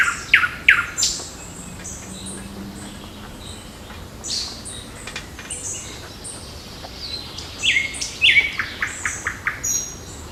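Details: Birds heard on a June morning, 8 June, in park and forest: scattered chirps and short high phrases, a quieter stretch, then a lively burst of rapid twittering notes.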